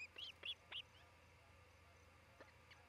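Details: Osprey at a Charlo, Montana nest camera, 27 June 2018 around midday, where a pair is nesting; three quick high, slightly downslurred chirps at the start, then only faint distant notes over low hum.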